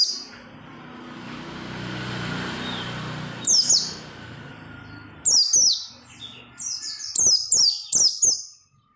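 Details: Singing oriental white-eye, played to get other white-eyes singing: after a few seconds of background noise, quick high twittered phrases come in close bursts.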